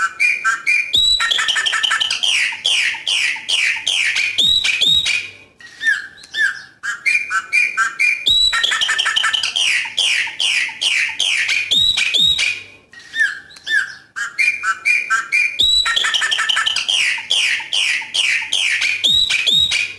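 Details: Coqui coqui song of a chopi blackbird in natural surroundings. A long, busy phrase of ringing whistles, clicks and warbled notes repeats about every seven seconds, each pass separated by a brief softer moment.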